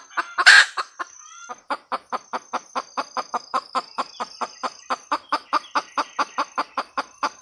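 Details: Hen red junglefowl opens with a loud, harsh squawk, then keeps up a long, regular series of short, dry clucks, about four each second, until the end.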